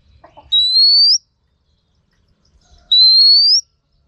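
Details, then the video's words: Two clear, drawn-out rising whistles from a female Oriental magpie-robin, used to stimulate males for song training, separated by a silent gap of over a second. "Choè than mái kích trống hay nhất"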